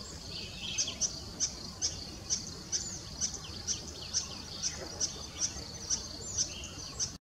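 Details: Spot-breasted fantail (Rhipidura albogularis) courting: thin, very high, sharp notes repeated about twice a second, over a steady high-pitched background hiss.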